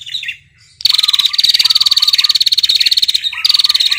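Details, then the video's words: Female red-headed prinia gives a long, dry, rapid, evenly pulsed high trill lasting over two seconds, repeated after brief pauses, calling the male. "prenjak betina ngetirr panjang memanggil prenjak jantan"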